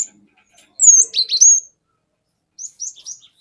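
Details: Single loud phrase of high swooping whistles from a forest cinereous tit used as a lure, followed by a softer trailing burst of thin chirps.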